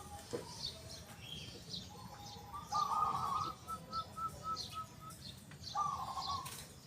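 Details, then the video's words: A local zebra dove with a big, loud, clear 'kung' voice. It gives a rich trilled coo followed by a run of staccato pulsed notes, then a second coo. Scattered high chirps of other birds sound throughout. "PERKUTUT LOKAL GACOR SUARA KUNG BESAR YANG KERAS & JERNIH"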